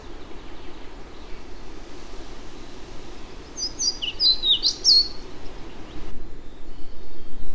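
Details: Pied flycatcher in spring Celtic rainforest of ancient oak, birch and hazel in the Dyfi Valley, mid Wales: one short, sweet, chiming phrase of high zigzagging notes, about 1.5 seconds, over a steady rushing background like running water.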